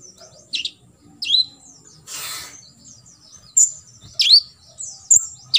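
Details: Sharp swooping chirps and brief very high whistles from an olive-backed sunbird, 'isian' tutor material for competition birds, broken by a short burst of rustling noise.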